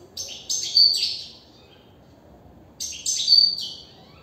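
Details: Caged European goldfinch singing from inside its cage: two bursts of bright, high twittering phrases with buzzy and sharp ringing notes, separated by a pause of about one and a half seconds over low background hum.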